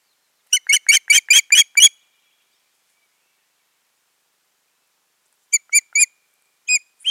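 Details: Two ospreys together on the nest, 14.6.2019; a brisk volley of high, shrill whistles is followed by a long quiet gap and then two short groups of similar piping notes.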